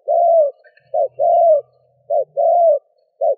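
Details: Spotted dove calling to lure a wild bird: deep mellow coos alternating short clipped notes with longer drawn-out ones, clear and close.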